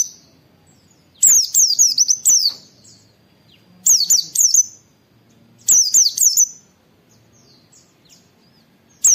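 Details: High, rapid wit-wit phrases from a white-eye, recorded as a master song to trigger other white-eyes to sing: three bursts of four or five quick falling whistles, spaced about two seconds apart, in near silence.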